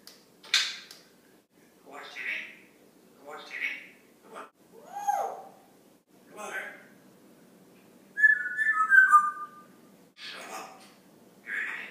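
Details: Congo African grey parrot, a pet male about four years old, speaks words and phrases indoors: a string of short speech-like utterances, then a bright warbled whistle around the eighth second, and more words after.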